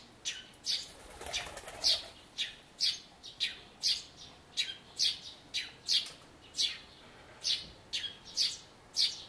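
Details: Spring chirping of a Eurasian tree sparrow beside a bird-table birdbath, 2 April 2013, Everio camcorder; a burst of fluttering or splashing opens, then bright, high chirps follow at roughly half-second intervals.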